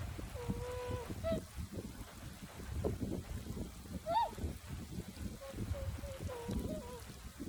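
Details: Swans resting in a flooded rice field beside their feeding ground on a warm south-wind day, the first spring gale, giving calls unlike their usual ones, perhaps ahead of migrating north: scattered faint, tonal honks with harmonics over wind and low rumble.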